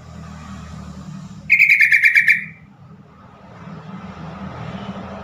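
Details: Yellow-vented bulbul call, used to get caged birds that are stressed or not singing to respond: a quick burst of about eight bright chirps in an even row, then background hum and faint noise.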